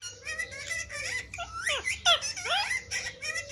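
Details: Pet parrot indoors in a small room, playing with a mobile phone, giving a busy run of squeaky, wavering whistles and sweeping chattered notes, some rising and falling sharply, with speech-like modulated tones throughout.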